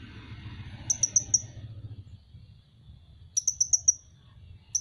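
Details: Van Hasselt's sunbird, locally called kolibri ninja, gives a quick run of four very high, sharp chips. After a pause comes a second burst of five similar thin notes, each short and slightly falling. A low background hum runs underneath.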